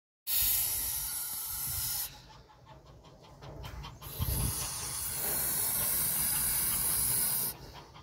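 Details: Goose defending its nest, giving loud, harsh breathy hisses: one long blast of about two seconds, then a quieter gap, then a sustained hiss lasting over three seconds.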